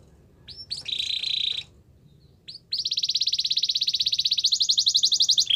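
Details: Belgian canary singing to get ready for females: a short buzzy phrase, brief pause, then a long fast even trill stepping higher in pitch.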